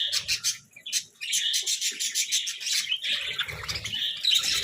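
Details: Budgerigars chirping over a meal of vegetables: bursts of quick squeaky chirps and warbles, briefly dipping then resuming as continuous chatter, with light low thumps from movement.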